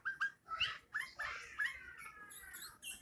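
A bulbul gives a string of chattering, slurred notes, each a quick bright sweep, tumbling out several times a second with brief pauses.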